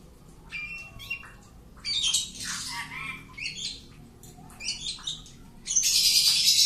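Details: Home-kept Oriental magpie-robin in a boldness test, uttering harsh, raspy squawking bursts mixed with a few thin whistles, ending in a loud sustained scratchy call.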